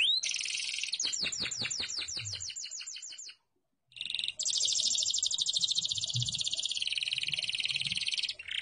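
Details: Canary singing, an owned bird: loud high trills of rapid repeated notes, one sweeping series in the first three seconds, a brief silence, then a long dense buzzy trill held for about four seconds.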